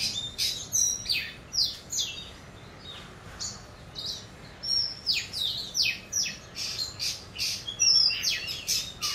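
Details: Oriental magpie-robin (Copsychus saularis), subsong: young bird practising its song.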